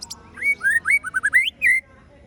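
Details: Murai batu in a ciung wanara style phrase: a lively string of clear whistled slurs, some rising, some falling, delivered rapidly over about a second and a half and ending on one longer whistle.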